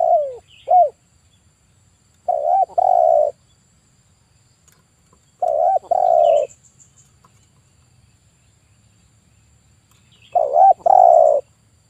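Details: Vocal male spotted dove, 'kuk 1' type, used as a lure bird for trapping, repeating a soft two-part coo: a quick hooked note then a longer throaty coo, phrases spaced about four seconds apart over a quiet background.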